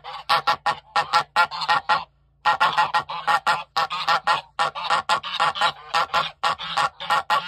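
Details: Alarmed goose honking: raucous, brassy honks delivered in quick runs of three to six, broken by one short silent gap partway through, calls overlapping as if from more than one bird.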